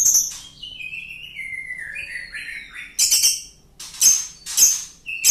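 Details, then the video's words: Laughingthrush used as a lure sound, with a long laughing song: clear whistled notes sliding downward in steps, then bright, sharp high chirps in bursts near the end. "Pancingan Loberd Ngekek Panjang"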